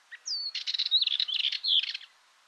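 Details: Dartford warbler song: a brief scratchy, chattering phrase of buzzy notes around two to five kilohertz, opening with a short chip and a thin descending whistle, lasting about two seconds against a quiet background.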